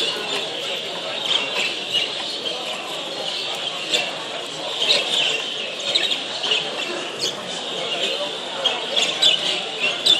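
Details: Budgerigars (Melopsittacus undulatus) at the World Budgerigar Championship, Doncaster Dome, 26–27 September 2015: a flock chatters at once in a dense, high warbling of chirps and squawks, with human voices murmuring beneath.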